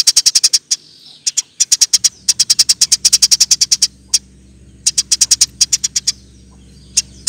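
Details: Eurasian tree sparrow recorded to train other songbirds: dense, rapid strings of high, clipped chirps with short gaps, over a low steady hum from about two seconds on.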